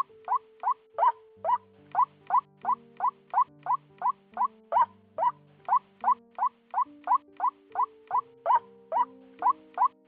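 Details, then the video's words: White-breasted waterhen single-note call, recorded at the end of the 2020 season and used as a lure for trapping: short, sharp single notes repeated steadily two or three times a second over low, sustained, electronic-sounding hum. "Tiếng quốc TA , Quốc Bụi , Tiếng đơn âm"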